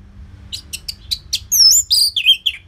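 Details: Orange-headed thrush song, a loud, frequent-singing recording used to coax silent caged birds into singing. A quick run of short high notes leads into bright, loud, slurred whistles that sweep up and down.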